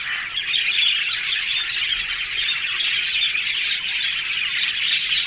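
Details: Happy yellow budgies talking: an unbroken, steady stream of high scratchy warbles and chirps from several birds, evenly loud throughout with no pauses.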